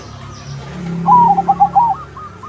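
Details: Singing crossbred zebra dove, its song meant to draw other doves into answering. One short, bubbly run of about six rapid, rolling coo notes over a steady low background hum.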